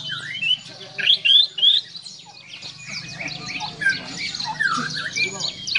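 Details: Borneo white-rumped shama song: varied high whistled phrases and squeaky slurred notes, irregular and rich, with softer chattering in between.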